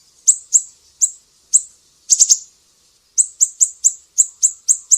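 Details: High, sharp chip notes of a Sumatran mangrove whistler used as a training master for songbirds, 'besetan' style: spaced single notes, a quick triplet, then a faster even run of about eight chips.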